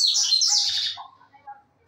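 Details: A Double-collared Seedeater, a singing bird, gives a fast burst of high, twittering and buzzy notes that fades into a few softer, lower chirps, with faint voices in the background.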